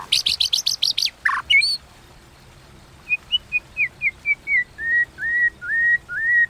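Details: White-rumped shama contest song in the 'kéo thuốc lào' style: a harsh rapid clicking burst and squeak, a pause, then a descending series of clear whistles that lengthen into slurred upward-hooked notes.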